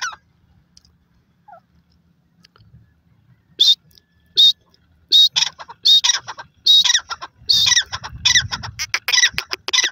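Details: A partridge in grass gives loud, squeaky, high calls after a quiet start, bunched irregularly and repeated over several seconds, with a brief low rustle near the end.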